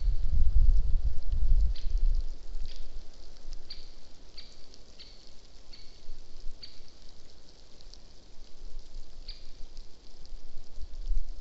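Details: Great spotted woodpecker calling on a deer camera on 21 December 2014: sharp, high 'kix' notes, about eight at uneven intervals of roughly a second, with a low rumble in the first two seconds.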